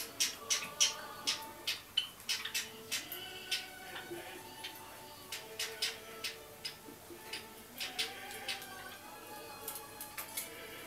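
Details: Java sparrow chicks aged 30 and 32 days, recorded at 10:25 in the morning in January 2012, give sharp, high, clicking chirps, several a second in uneven bursts, over a faint steady tonal hum.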